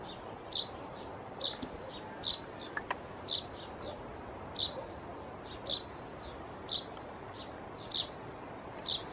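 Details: Fledgling common chaffinch giving brief, bright, high-pitched chirps at a steady pace of about one per second. Some chirps have a quieter follow-up note, and a single faint click stands out near the middle against a light hiss.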